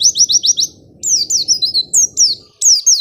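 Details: White-eye song used as a lure for lazy singers: a fast run of repeated high notes, then slurred falling whistles in short spaced phrases, over a low background hum that fades.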